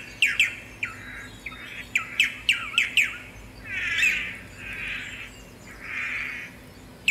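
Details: Tangará sequence of sharp downslurred chips repeated roughly every third of a second, then three soft, rounded warbled notes spaced about a second apart.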